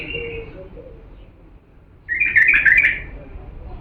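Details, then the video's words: Bulbul from Diyala, authentic line, singing to teach chicks: a soft opening note, a pause, then a loud, bubbling warbled phrase of quick slurred notes lasting about a second. "افضل تغريد بلبل ديالى الاصيل لتخريج الافراخ"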